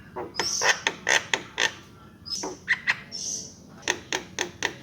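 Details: Javan myna song: harsh broadband clicks and rasping notes in irregular bursts, with brief whistled tones mixed between them and short pauses, no other sounds clear.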